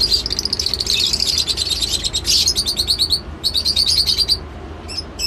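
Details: Lovebird chirping almost nonstop: shrill, high, fast-repeated notes in long trilling runs, broken by one brief pause past three seconds, with a steady low hum underneath.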